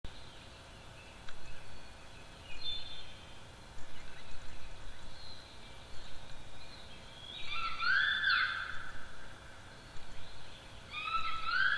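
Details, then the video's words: Unidentified odd bird noise picked up in the background by a wildlife webcam on May 6 at 6:38 AM: a harsh, nasal, harmonic call swelling and wavering near eight seconds, a shorter similar call at the end, steady low background noise throughout. "Very odd bird noise"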